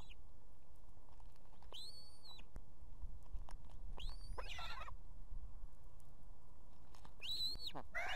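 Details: Osprey female at a nest in Estonia with two chicks, 18 July 2016, calling the male, who soon arrives with fish. Three loud, high, arched whistled calls with a hoarse tail, spaced a few seconds apart, over steady low wind rumble.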